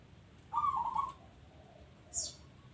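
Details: Single clear rolling, quavering coo from a local zebra dove in active song, followed after a pause by one brief high descending chirp from another bird.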